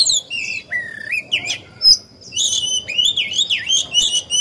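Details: Oriental magpie-robin, a decoy bird singing to provoke wild birds into song: a rich series of varied whistled phrases, some long and level, others rising and twisting, with sharp high notes between them.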